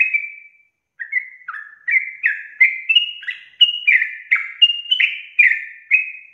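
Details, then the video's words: Sooty-headed bulbul singing a long, continuous 'ropel' style song: a quick run of short, bubbly, slurred whistled notes, each dropping or rising slightly, delivered about once a second after a brief opening pause, with no background noise. "TRUCUKAN GACOR ROPEL PANJANG"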